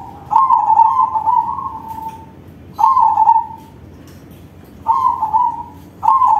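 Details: Loud-voiced crossing zebra dove giving its song as a lure to prompt other doves. Long, purring coo phrases roll along at an even low pitch, four bursts about two seconds apart, each fading out at the end.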